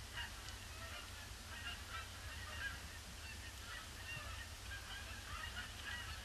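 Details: Canada geese, a large flock circling a pond before landing on a grey Boxing Day; many overlapping honks blend into a constant chorus over low rumbling background noise.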